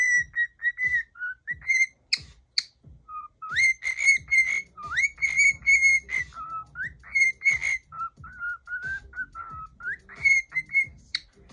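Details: A male pet cockatiel, angry at something stuck around his head that he keeps throwing off, gives a run of agitated whistles and chirps, short rising and wavering notes in quick succession.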